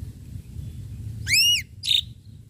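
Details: Ashy drongo in full voice, sharp-note lure song: one loud arched whistle that sweeps up then down with bright overtones, then a short buzzy high note after a brief pause, over a low background rumble.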